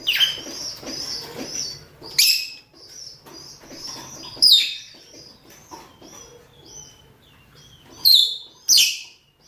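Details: Mating calls of male and female rosy-faced and Fischer's lovebirds: rapid high chattering at the start, then scattered harsh, shrill screeches, two close together near the end, over faint continuous twittering.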